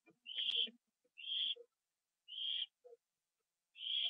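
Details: Nighttime owl, 1:52 AM on 25 September 2011, eating a treat inside its box. Four hoarse hissing screeches spaced roughly a second apart, with light knocks and shuffling between them.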